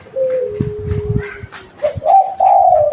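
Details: Local spotted dove used as a lure. A steady, thin, whistled tone comes first, and a soft-voiced coo phrase of a short note and a longer sliding note closes the clip. Low knocking sounds occur in the middle.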